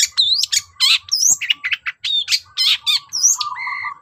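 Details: Long-tailed shrike singing as a lure for shrikes hard to set singing: fast, varied jumble of bright slurred whistles, scratchy notes and rising squeaks, with a faint low tone underneath.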